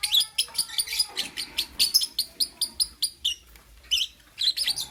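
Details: Pet lovebirds chirping in the morning, a quick series of sharp, high, evenly spaced chirps about four per second, then a short pause and more squeaky notes.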